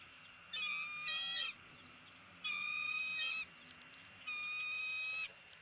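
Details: Bald eagle calling while being fed at the nest at sunrise on February 6, 2016; three drawn-out, high, tonal calls with strong overtones, each lasting about a second and spaced about two seconds apart, over faint low hum.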